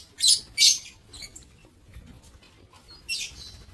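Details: Lovebirds kept in an aviary, 7 April 2024: two loud, grating high squawks in quick succession open the recording, a few faint chirps follow, then another rasping burst near the end.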